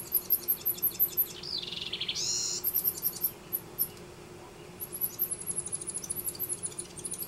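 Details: A house wren nesting in a yard in Denver gives a brief bubbly, tumbling burst of song over steady, very high rapid ticking that runs almost the whole time.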